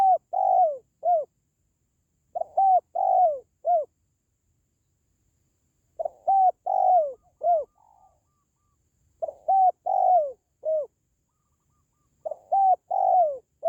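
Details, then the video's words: Spotted dove calling to raise the spirits of pet doves or lure wild ones: soft, low cooing notes in tight groups of three or four, each group returning every few seconds with clean silence between. "SUARA PANGGILAN BURUNG TERKUKUR"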